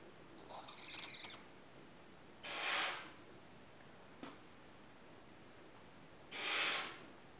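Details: Four-week-old barn owl chicks giving three separate harsh, breathy hisses, each about a second long, spaced a few seconds apart against a quiet background, with a faint click between them.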